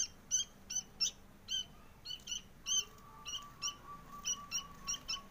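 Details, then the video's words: Sooty-headed bulbul chick begging to be fed, giving short high chirps repeated two or three times a second, with a faint steady lower whistle in the background. "Anak kutilang minta loloh"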